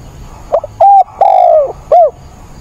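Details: Decoy spotted dove during a 28 October rainstorm, cooing more eagerly to excite wild doves; a soft lead-in note, a short coo, a long descending coo and a quick closing coo.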